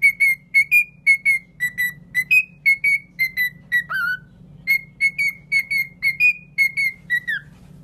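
A cockatiel whistles clear, short notes about twice a second, with one lower, falling note partway through. A steady low hum runs underneath.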